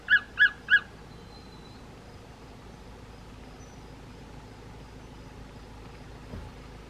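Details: A juvenile Martial eagle calling while eating prey in the shade of upper tree branches near Letaba in May 2021 gives three quick, clear mid-pitched yelping notes in under a second over a quiet outdoor background.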